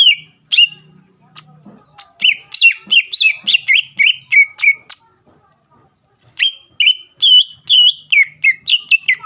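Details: Greater green leafbird singing hard to goad a rival into song: scattered opening notes, then long quick series of bright whistled chirps, a short pause, and a further run of warbled notes, some falling in pitch.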